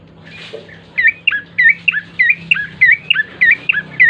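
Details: Energetic bar-winged prinia song for coaxing birds to sing: a steady, even series of crisp chirps, each falling in pitch, repeated about three times a second after a quiet start, with a low hum throughout.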